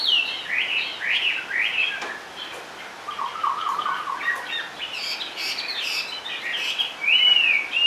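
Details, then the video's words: Caged Chinese hwamei singing in its cage: rich varied whistled phrases, swooping slurs and a quick run of short lower repeated notes in the middle, ending with a clear rising whistle. "HM 454 chơi mọi địa hình bộ to đẹp mướt sách lồng hót bệt dính cầu"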